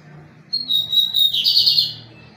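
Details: Strong pirata-style song of a lined seedeater: a sustained pure high whistle flowing straight into a harsh, buzzing trill, over a faint low rumble.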